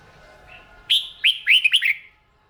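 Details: Red-whiskered bulbul in morning song training by Vietnamese hobbyists; a single crisp phrase of four quick, downward-curving whistled notes following a soft lead-in note.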